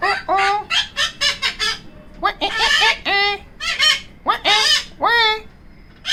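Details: Pet female Yellow-collared Macaw making odd noises while tucked away in a cabinet: a rapid run of short, nasal, honking notes, many bending downward, delivered in quick irregular bursts with brief pauses.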